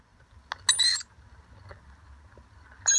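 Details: A wild rainbow lorikeet, from a family of parents and young visiting to share nectar mix, gives a shrill, metallic screech, then a second harsh burst about two seconds later, over a quiet outdoor background.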